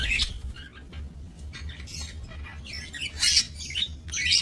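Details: Aviary budgerigars kept for breeding, 28 November 2024: rasping squawks and squeaky notes at about one per second, louder bursts near the end, over a steady low rumble.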